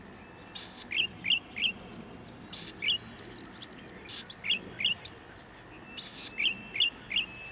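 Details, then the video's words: Male Golden-headed Cisticola at Pitt Town Lagoon, NSW, in October near dusk, calling from an exposed perch in breeding season: short, bright chirps in quick groups of two or three mixed with high, thin buzzy notes over soft outdoor hiss. "Feeling chirpy – Golden-headed Cisticola"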